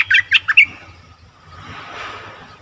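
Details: Bulbul lure call for wild birds: four sharp, harsh chirped notes in quick succession, followed by a rushing, breathy background noise with no further calls.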